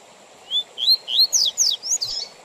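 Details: Double-collared seedeater delivering a Tui Tui Zel Zel song phrase meant for teaching young males and for tournaments; a quick run of six clear whistles, first rising slurs, then sharply falling, bright strokes, with faint hiss behind.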